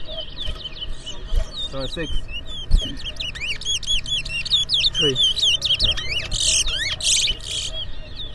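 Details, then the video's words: Chestnut-bellied seed finch, known locally as towa towa, competing in a whistling match at a Port Mourant, Guyana bird ground in 2024. It gives a dense stream of quick, high, up-and-down whistled notes with harsh bursts, while voices and music sound faintly behind. "TOWA TOWA BIRD WHISTLING COMPETITION"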